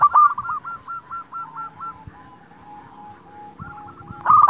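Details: Local zebra dove singing to provoke rivals and stimulate breeding: a loud opening note, a regular run of hooked coos fading into softer level tones, then a loud rolling burst at the close.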